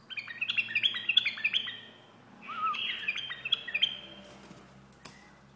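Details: White-eared bulbul singing two bursts of rich, liquid whistled phrases, quick notes jumping up and down and slurring together, with a short pause between bursts and a faint click near the end.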